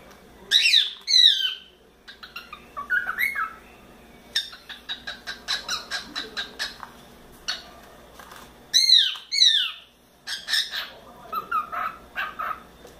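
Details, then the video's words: Pet cockatiel, a four-month-old youngster playing in its playground, mixes loud sweeping calls with long runs of rapid clicking chatter and short whistled notes. "CALOPSITA assobiando muito"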